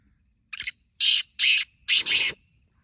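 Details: Black francolin calling in the morning in a village area: a short clipped note, then three loud rasping, buzzy notes, the last pair nearly joined, with a faint low rumble beneath.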